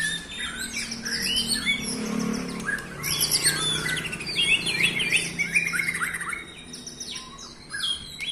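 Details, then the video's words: Song of a white-rumped shama, played to provoke rival shamas: rapid, busy medley of high whistles, trills and chips packed closely together, with a faint low hum underneath. "bikin murai lain emosi"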